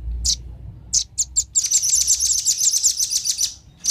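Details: Velvet-fronted nuthatch, male and female, luring wild birds: scattered shrill chips, then a rapid high trill lasting two seconds, ending with one more chip.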